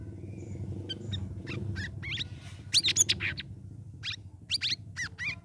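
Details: Caged sooty-headed bulbul singing in the ngeriwik ngeplong style after three weeks of ombyokan group-cage training. Bursts of sharp, high chirps and short, rising whistled notes, in quick irregular clusters, over a steady low hum.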